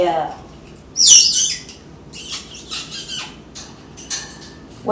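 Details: Captive African grey parrot indoors performing sound effects: a sharp high squawk, then softer scratchy hissing noises and brief squeaks in a quiet room.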